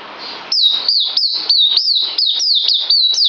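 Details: Captive bird recorded 9 December 2018, before a deworming dose, sings a regular series of bright downslurred whistles, about three per second, after a brief quiet, faint start.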